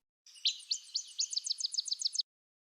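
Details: Alder flycatcher (Empidonax alnorum), pip call.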